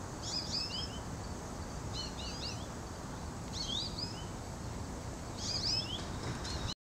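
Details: An American goldfinch recorded on August 28, 2011, at 1:42 PM gives four quick bursts of high, twittering notes a second or two apart, over a steady rumble of wind or distant noise.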